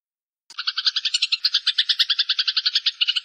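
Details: Eurasian tree sparrow fight: one unbroken, fast, harsh rattling chatter of evenly spaced scratchy notes, about eight per second, continuing for nearly three seconds.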